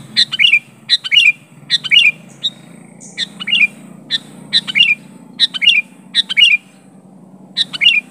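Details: Sooty-headed bulbul calling to a rival, pure recording without filler: crisp paired chirps with slurred descending tails, repeated steadily about twice per second, with a low hum underneath.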